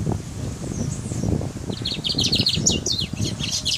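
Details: Brown mustache finch in Guyana, singing: after rustling and low thumps, a rapid stream of high, buzzy, jumbled notes starts midway and keeps going to the end.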